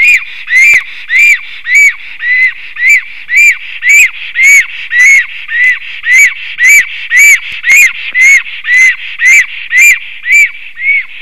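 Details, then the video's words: A black stork sings at its nest after coming home on 9 April 2024 at 5:58 pm, defending it before flying off again: about twenty regular, arched, wheezy whistles, evenly spaced at nearly two per second, without pause. "comes home is singing, defending"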